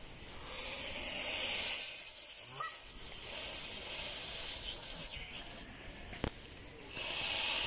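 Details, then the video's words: A goose hisses in harsh, breathy bursts of airy noise: a long rush near the start, a softer stretch midway and another surge at the end. "Das Fauchen der Gans"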